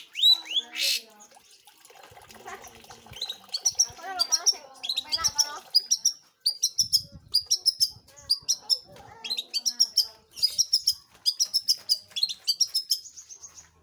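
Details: Long-tailed shrike, known locally as cendet or pentet, in energetic song: sharp, high clicking chirps repeated in rapid rhythmic bursts, broken by brief twittering passages and short pauses.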